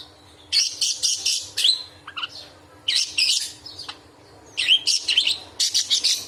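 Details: Angry budgerigar letting out bursts of sharp, loud chatter meant to tutor other cage birds: clusters of harsh, scratchy chirps and squeaks separated by brief quiet gaps, each burst about a second long; faint steady hum.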